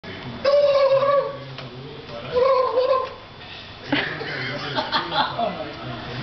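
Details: Real turkeys answering people who try to imitate them; two loud rattling gobbles about two seconds apart, followed by human voices and laughter.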